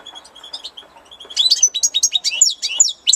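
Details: Spring song of a European goldfinch, opening with faint thin notes before breaking into a fast, jangling twitter of sharp chirps repeated roughly two or three per second.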